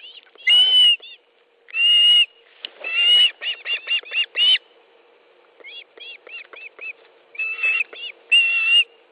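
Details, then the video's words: Osprey at a nest in Estonia, 18 July 2013 at 10.30, during a fish delivery: loud whistled yelps and a series of short rising chirps, with a steady low hum in the background. "Osprey nest, Estonia 18th July 2013 10.30 Fish delivery"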